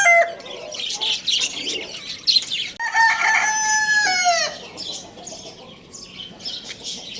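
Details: Lohmann Brown rooster at Lalukhet bird market crowing in the morning: high bird chatter first, then a loud, strained crow with strong overtones that is held, then drops off sharply, followed by quieter twittering.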